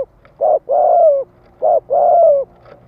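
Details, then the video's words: Spotted dove giving a thúc-gù cooing phrase meant to stimulate males: a short low coo, then a longer, slightly wavering coo that slides downward at the end. The pair of notes is clear against a quiet background. "Tiếng chim cu gáy Thúc - Gù kích bổi cực sung"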